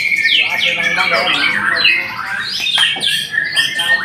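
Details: A white-rumped shama delivers a fast medley of clear whistled slides and squeaky notes, some sweeping down steeply, in an unbroken stream.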